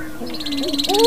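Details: A low, steady hooting note from a male greater prairie-chicken strutting in spring breeding display swells into a rising, whooping tone, with a faint, pulsing high buzz behind it.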